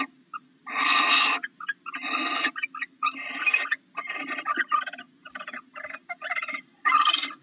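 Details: Barn owls at a nest box during an intruder chase, the male arriving with a rat for the incubating female; a run of harsh, hissing screeches, some long and some clipped, following one another with brief gaps.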